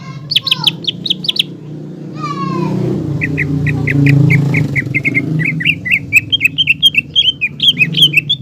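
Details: Green leafbird song aimed at provoking a juvenile spotted leafbird: quick whistled chirps and a descending buzzy sweep, then a long run of evenly spaced notes rising into warbling, over a loud passing vehicle rumble.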